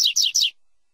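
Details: End of a double-collared seedeater's Tui Tui song, used for teaching captive birds and chicks: three quick, buzzy, descending notes in close succession, then silence.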